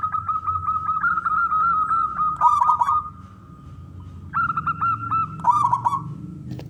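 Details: Local male zebra dove (perkutut) song meant to encourage other doves to sing: quick repeated coos leading into a rolling trill, a quiet gap, then another coo series and rolling phrase.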